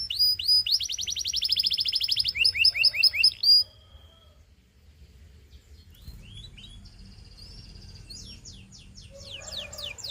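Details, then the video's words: Belgian canary song for training youngsters, quick high chirps and a dense rolling trill, then a pause with faint hiss before soft scattered notes and a rising series of high chirps. "SINGING TO TEACH BELGIAN CANARY"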